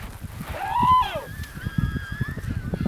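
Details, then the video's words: Adult emperor penguins in a noisy, crowded Antarctic colony, calling to be heard over the crowd and wind: a loud, harmonic, trumpet-like note that rises then falls, followed by thinner, drawn-out calls over steady low wind rumble. "Various Moments of Penguins Making Sounds"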